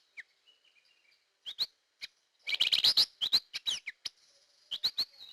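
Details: Hair-crested drongo, used as a lure sound, giving sharp metallic chirps and rising whistled notes around the middle of the range, with a dense burst of rapid clicking notes near three seconds.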